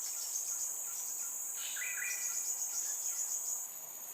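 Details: Newly fledged Crimson Sunbird chick in Singapore, calling at regular intervals to tell its parents where it is; one quick pair of clear chirps rises out of a constant shrill buzz of insects.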